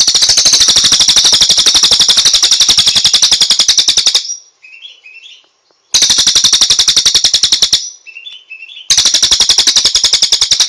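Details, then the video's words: Cililin song as loud, very fast, mechanical-sounding rattling trills lasting several seconds each, split by brief pauses with soft twittering notes. "Masteran Terbaik Cililin | Song 9"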